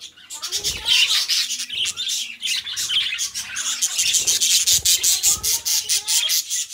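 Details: Two caged budgies chatter continuously: fast, scratchy, buzzy notes with short rising and falling whistles woven through, and occasional soft low clicks underneath.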